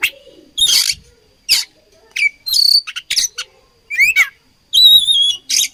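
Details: Song of an oriental magpie-robin said to be fighting: harsh rasping bursts alternate with upward-sweeping whistles, ending in a long, steady, pure whistle and a final burst of noise.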